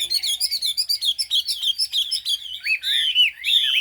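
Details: Chinese hwamei singing high, a bird with a fig-leaf tail and turmeric-yellow bill: rapid repeated looping whistles about three per second, then longer ringing, wavering notes with bright overtones.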